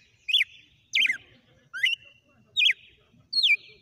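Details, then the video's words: Red-cowled cardinal singing a song sequence: five loud, clear whistled notes, each sliding sharply up or down, spaced about every 0.7 seconds, with faint low rumbling in the background. "Galo de campina na SEQUÊNCIA DE CANTO"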